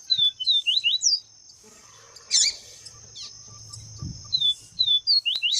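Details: Female yellow-bellied seedeater (papa-capim viviti) calling to excite males: quick bursts of high, thin, down-slurred whistled chirps at the start and end, a few scattered notes between, over a steady high-pitched whine.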